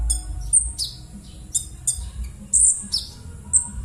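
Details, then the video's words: Konin bird's harsh rough call, used to coax silent konin birds into song: scratchy high chirps and down-slurred notes in uneven bursts, some grating buzzy notes, with a low background hum throughout. "suara kasaran burung konin"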